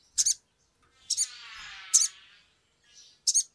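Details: Sumatran leafbird, a lure recording used to spur birds to sing quickly. Sharp, high chirps are spaced about a second apart, with a soft buzzy rasping passage between them.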